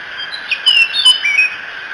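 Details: Bald eagle at the Decorah nest on the morning of 1 June 2017: a few thin, high whistled notes sliding downward, with brief clicks, over a constant background of small birds chirping.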